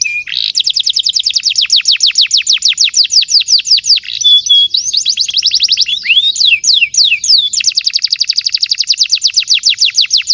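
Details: Continuous canary song for prompting young canaries: dense rapid trills of high downswept notes, a brief steady whistle, slower swooping phrases, then another fast rolling trill.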